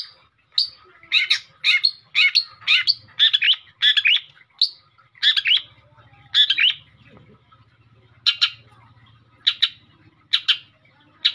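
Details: Long-tailed shrike in full energetic song, suited to prompting other birds: rapid runs of harsh, raspy, chattering high notes in quick bursts, a brief pause, then more spaced scratchy notes, with a soft low hum underneath.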